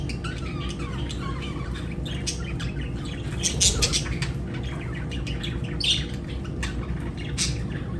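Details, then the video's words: Lovebird chatter: thin wavering whistles early on, then scattered sharp chirps and a couple of louder harsh squawks near the middle and end, over a low steady hum. "Lovebird Singing & Chirping Sounds"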